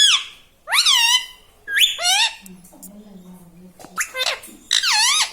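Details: Indoor pet parrot talking like a human, saying words such as "Mummy" and "Papa". Bright, strongly pitched syllables swoop downward in quick succession, a brief low hum in the middle, then more rising and falling chatter.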